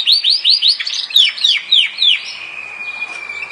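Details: Yorkshire canary song of repeated downward-slurred whistles, about four per second, ending in a thin steady high whistle.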